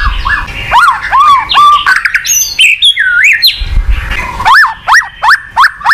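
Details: Song of a kept white-rumped shama, used to coax a quiet bird into singing; repeated arched whistles, a burst of high chattering notes, then evenly spaced looping whistles about every half second, with faint low background rumble.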